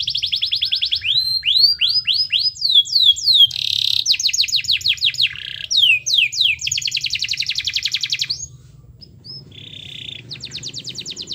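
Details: Long canary song meant to set other canaries singing: varied phrases of rising whistles, swept downslurred notes, fast rattling trills and a sustained buzzy roll, briefly pausing near the end before another rapid trill.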